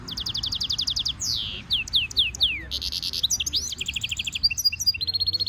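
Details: Goldfinch mule hybrid giving a stimulation song for training: a fast, even trill, then separate swooping down-slurred whistles. A dense buzzy burst follows, then quick chattering runs of high notes.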